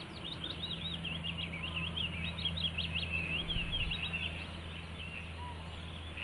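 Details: Willow warbler giving a sustained phrase of rapid, sweet, high whistled notes, looping up and down for about five seconds, with a steady low mechanical hum underneath.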